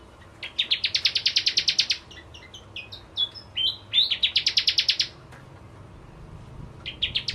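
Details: Lively bar-winged prinia song used as a lure for crystal ciblek: a quick run of high chirps, a varied phrase of slurred and rising notes, then another fast chirp train and a short closing burst.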